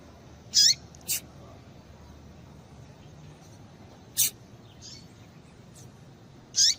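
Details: Papa-capim (yellow-bellied seedeater) female calling to stimulate males: high squeaky notes with falling tails, a sharp click-like note after each, spaced irregularly over several seconds with faint softer chips between and steady low hiss.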